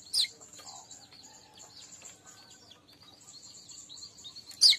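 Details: Soft, continuous, high twittering chatter of a weaver, played to attract other weavers, with a sharp chip at the start and end.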